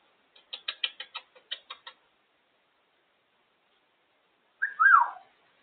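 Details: African grey parrot, a female enjoying time out of her cage, gives a quick string of about ten sharp clicking ticks, then after a pause a short, rough, rising-and-falling vocal squawk, in an otherwise quiet room.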